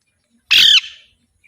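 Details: Alexandrine parakeet giving one loud, harsh squawk lasting about a quarter second, with a fading tail and silence around it.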